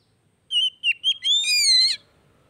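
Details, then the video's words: Oriental magpie-robin (kacer) song used to provoke a non-singing bird into reply; a level whistle, two short dipping notes, then a long buzzy, vibrant rasping note. "TERAPI HARIAN BURUNG KACER MACET"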